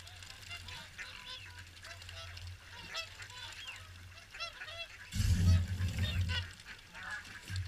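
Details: Swans at WWT Caerlaverock during the morning feed: a flock gives many overlapping nasal, honking calls in quick succession, with low wind rumble underneath and a louder gust near the end.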